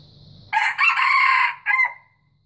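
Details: White junglefowl crowing: after half a second of low background hum, a loud harsh crow bursts in with a short opening note, a long sustained strained middle phrase, then a brief separate closing note that tails off into silence.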